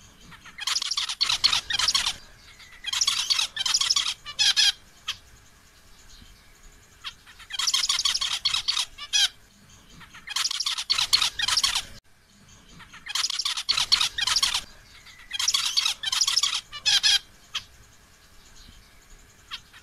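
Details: Zebra finch (Taeniopygia guttata), call: male calling to a female.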